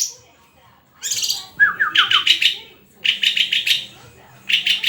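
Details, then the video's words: {'caption': 'White-rumped shama opening with a high sharp note, then a run of quick downslurred whistles followed by buzzy chattering phrases repeated after short pauses.'} "SUARA INDAH BURUNG MURAI GACORRRRR!!!"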